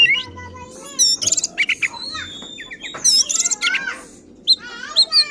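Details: Oriental magpie-robin in agitated, provoking song: loud sliding whistles and trilled phrases mixed with harsh raspy notes and quick chattering runs, separated by short gaps, with a faint low hum in the background.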